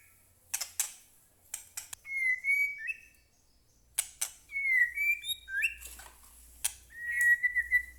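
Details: White-rumped shama singing to provoke rivals into song: loose, widely spaced whistled phrases mixed with dry clicking bursts, against a faint low hum.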